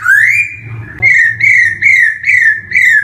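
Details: Black-throated laughingthrush, known locally as poksay hongkong, singing as a training lure for young birds beginning to sing: one long rising whistle, then five clear down-slurred whistles spaced about half a second apart, with a soft low hum behind.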